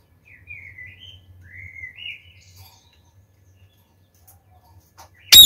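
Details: Captive rose-ringed parakeets, a male and female pair kept about a year: a few soft whistled chirps with bending pitch in the first two seconds, then near silence and a loud burst of noise at the end.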